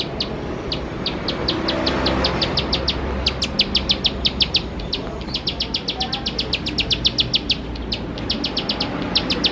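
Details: Bar-winged prinia (ciblek sawah) singing energetically in the rapid-fire 'nembak' style, played as a lure to get other prinias singing: sharp, high chipping notes in quick bursts of about four to five per second, with short pauses, over a steady background hiss.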